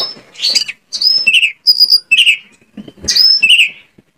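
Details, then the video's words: White-rumped shama song from Indonesia, used as a lure to make other shamas start singing and answer: loud, clear whistled phrases with high sweeping notes and lower rich trills, separated by short pauses. "PANCINGAN KACER AGAR ON MAU NGOBRA !! KACER MANAPUN PASTI LANGSUNG NYAUT"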